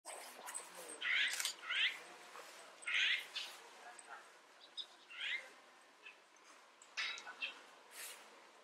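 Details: Asian azure-winged magpies (Cyanopica cyanus japonica) in Kanazawa, Japan, in April give harsh, rasping, upslurred calls in short bursts a second or so apart.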